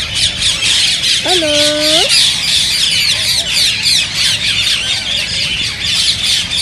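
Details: Green rose-ringed parakeets in a dense, fast, high-pitched chattering chorus, a sound meant to stimulate singing and mating, broken by one long, bending, nasal squawk early on.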